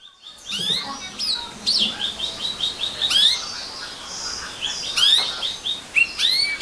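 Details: Atlantic canary singing: sharp rising and falling whistled notes and chirps spaced through the phrase, with some faint background noise.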